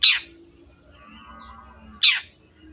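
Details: Long-tailed shrike, recorded as a lure to get birds singing: two loud rasping screeches that slide downward, two seconds apart, with quiet faint whistles and a low hum between them.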